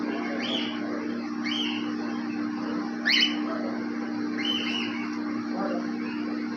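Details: Cockatiels in an aviary giving short, upslurred chirping calls, five or six scattered across several seconds, one louder than the rest, over a steady low electrical hum.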